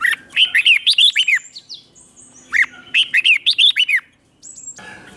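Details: Two matching bursts of red-whiskered bulbul song in the 'ché' competition style, each a rhythmic string of seven or eight bright, rising-then-falling whistled notes, ending in a faint high squeak.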